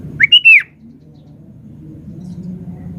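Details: A lively sooty-headed bulbul gives a single clear, bubbling whistled phrase, arched and slurred, loud and brief, followed by quiet with a low hum underneath.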